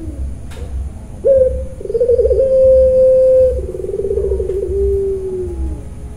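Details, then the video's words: Puter pelung dove, Kroya bird farm, sings the 'nangis' call: abrupt rising note, short gap, stuttering buzzy segment, long sustained coo, then a rapid trill fading downward. "puter pelung nangiss"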